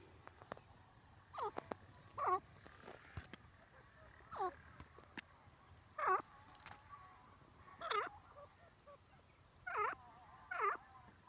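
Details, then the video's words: Francolin calling: a harsh, ringing note about every one to two seconds, each a short, rough burst with a rising and falling shape, over a quiet, steady background hum. "teetar ki awaaz"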